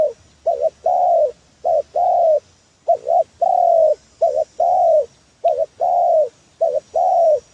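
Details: Spotted dove calling as a trapping lure, with a steady run of phrases, each a quick doubled coo then a longer rounded coo, repeated about every second with short gaps.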